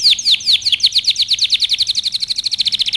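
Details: Canary in full song for training young birds: a fast, accelerating trill of sharply downslurred whistled notes, about ten per second, rolling evenly throughout.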